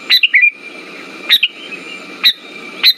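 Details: Sooty-headed bulbul (kutilang) song used as a lure to stimulate silent birds: short bubbly whistled phrases of two to three notes, about three phrases in three seconds, over a steady faint hum.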